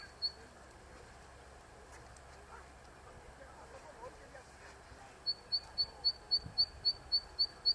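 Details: Zitting cisticola on an electric wire, singing for the first time this season: one lone high 'zit', a few seconds of quiet low background, then a regular series of sharp repeated 'zit' notes, about four a second.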